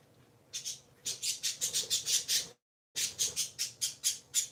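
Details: Pet parakeets, three kept together indoors, giving rapid scratchy chirping notes in a steady run, about four per second, broken by a brief pause, over faint room hum.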